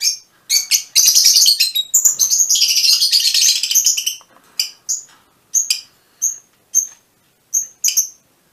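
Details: Fischer's lovebirds, a mutation, kept birds: dense shrill chattering bursts for four seconds, then sharp high chirps repeated about every half second.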